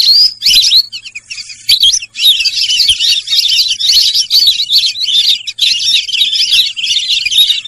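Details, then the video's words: Sarail bird call opening with a few clear, separate rising whistles, then turning into a dense, continuous high chatter of fast overlapping chirps. "সরাইল পাখির ডাক"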